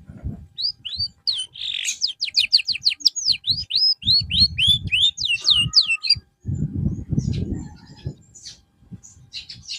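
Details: Canary singing during therapy after losing form: a long fast series of repeated, sharply descending whistled notes for several seconds, then quieter scattered chirps over low rumbling noise.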